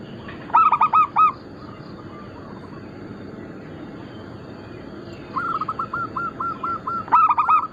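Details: Local Bangkok-cross zebra doves, used as lure and tutor material, give a short burst of four quick cooing notes, a quiet gap, then a faint rolling train of coos and a second loud burst at the end.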